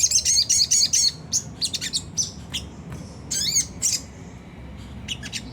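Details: Sunda whistling thrush in a rough ngriwik song meant to prompt other caged birds to sing. Quick high chirp trills open the clip, then come scattered sharp notes and a rising buzzy flourish near the middle.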